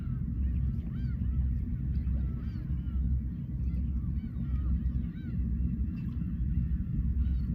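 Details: Black-tailed Gulls at a harbour in Imabetsu, Aomori, Japan, uttering clear, looping nasal mews in quick succession, several birds at once, with loud low surf throughout.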